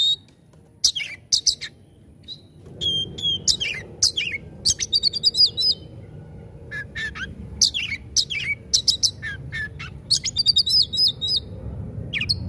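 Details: Kacer (Oriental magpie-robin) delivering a gacor 'tembakan' song: clipped whistled notes and scratchy rattling trills in quick irregular bursts, with short pauses between phrases over a faint low hum.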